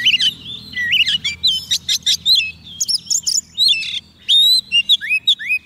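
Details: A captive Oriental magpie-robin on soft food sings to call wild birds: a rich, varied run of clear whistles, sweeping slurs and quick chattering notes in short bursts, high-pitched and without pause.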